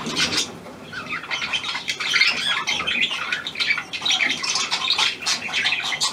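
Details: Australian pied budgerigar, hand-tame and newly arrived, 17 February 2023, producing fast raspy squawks and warbled chirps in an irregular stream, briefly softer near the start.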